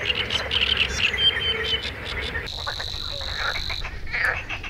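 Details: A sedge warbler at Crna Mlaka fishpond wetland reserve in Croatia, in oak forest, pours out a chaotic bubbling song while feeding on insects, a rival answering; a steady high buzzing tone cuts in midway, with other small birds and hiss.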